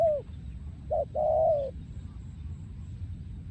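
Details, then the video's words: Breeding male spotted dove in yon khu ang style song: a falling coo fades out, then after a pause a short coo and a longer level coo, over steady low background rumble. "พ่อพันธุ์ 2023 โยนคูอ่าง"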